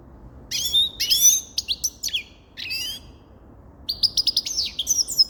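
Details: Grey-crowned goldfinch song with clear, high chirps and downslurred twitters, a pause, then a fast, tinkling trill sequence.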